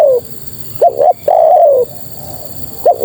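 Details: Female spotted dove calling males, with a long falling coo, then two quick upslurred notes and a drawn-out wavering coo that slides downward, ending on another short note.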